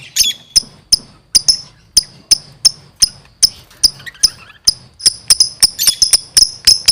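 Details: Lovebird in 'gacor' chattering song: crisp high chirps repeated at a quick, fairly even pace, starting with a short whistled note and quickening into a dense cluster toward the end.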